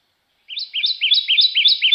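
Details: Kentucky Warbler song played for comparison at a warbler identification workshop in Kentucky: sweeter, slower two-syllable phrases repeated about every quarter second, a slurred rising-falling pair that stays even in volume rather than building.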